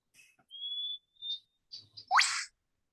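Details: Eastern Whipbird, a common, loud Australian call played from a phone recording: a long, steady, high whistle, then a short pause and an explosive upward whip-crack, the two-part breeding song. A few soft clicks and faint noise come between.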